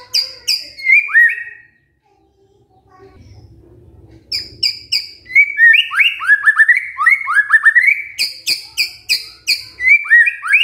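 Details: Shama lure song for stirring a silent male: opening whistled phrases, a pause of near silence, then a loud fast sequence of rising whistles and sharp high chips repeated several times a second.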